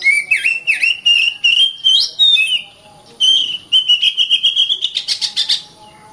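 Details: Oriental magpie-robin (kacer) singing swooping whistled notes, then a rapid, accelerating series of short pulsed notes that grows higher toward the end.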